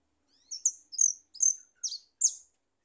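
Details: Goldfinch singing: five quick, very high twittering notes, each a bright slurred chirp, spaced about every 0.4 seconds, with a clean, quiet background.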